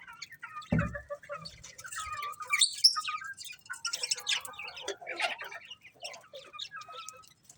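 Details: Colourful budgerigars chirping, a thump followed by varied warbled chatter, short whistles and a bright high squeak, with faint overlapping calls throughout.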